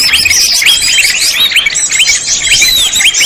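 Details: Greater green leafbird sound used as a lure for trapping, a dense, continuous stream of high chirps, short upslurred whistles and twittering notes packed closely together, with no pauses and a steady loud level throughout.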